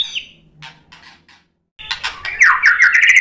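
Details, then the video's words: White-rumped shama song used to stir other shamas into answering: faint scattered notes, a pause, then a loud burst of rich chattering, slurred phrases rising and falling. "SUARA MURAI BATU UNTUK MENAIKAN EMOSI JADI NYAUT GACOR BONGKAR MATERI ISIAN | PANCINGAN MURAI"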